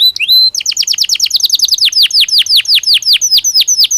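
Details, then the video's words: Canary singing inside its cage during breeding season, opening with a rising whistle, then a long run of rapid, downward-sweeping chirps repeated several times a second, slowing slightly toward the end. "تغريد كناري طبيعي داخل القفص يساعد الطيور على الانسجام خلال موسم التكاثر"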